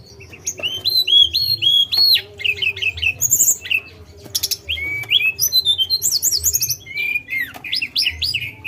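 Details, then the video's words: Lesser shortwing delivering repeated looping whistles, sharp chips and brief buzzy bursts in a busy, varied phrase over a faint low hum. "Pendongkrak Emosi Burung Tledekan !"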